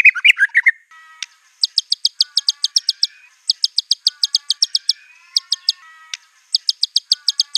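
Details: White-rumped shama in agitated song with borrowed canary, cililin and cungkok material; brief low warble, then groups of six to nine crisp high ticking notes delivered in fast even bursts separated by short gaps.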